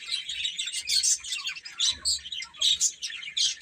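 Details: Young chicks chirping as they eat and play: short high peeps come in quick uneven bursts, roughly a burst each second, overlapping into a shrill twitter with faint low rustles.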